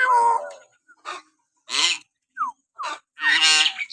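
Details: Common hill myna natural whistling, used to provoke pet mynas into singing: a clear falling whistle, then harsh broadband squawks and short descending whistled slurs in bursts separated by brief silences.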